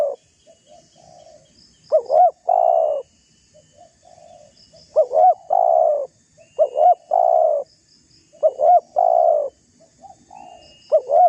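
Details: Spotted dove calling to provoke a rival, suited as a lure. Soft low coos alternate with louder phrases made of two short rising notes and a long coo, repeated several times.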